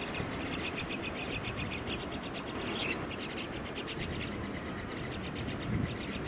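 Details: Common myna chicks in a nest inside an air conditioner beg with harsh, raspy, rapidly repeated calls, several bursts a second, while being fed, over a steady background hum.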